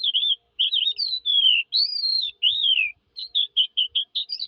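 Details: Skylark giving long, drawn-out whistles that fall in pitch, followed by a string of short, quick chirps repeated in a steady run.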